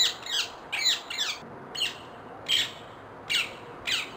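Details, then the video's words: Wild rose-ringed parakeet giving loud grating squawks, doubled at first, then single notes spaced roughly every 0.7 seconds, with no other clear sounds. "Wild parrots singing compilation, ringneck parrot call"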